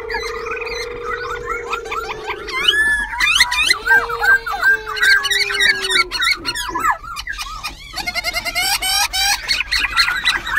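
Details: Caged wild-caught, half-tamed Black-throated Laughingthrush near Binh Chanh, Ho Chi Minh City, singing while fanning tail and wings, switching voice continuously: rich run of varied whistled notes, slurs and rapid trills, over a steady low hum.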